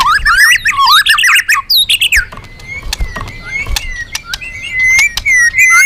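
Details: Magpie-robin singing loudly for use as a lure to draw other birds: a tumbling run of whistles opens, then sustained level whistles broken by sharp clicks and chips.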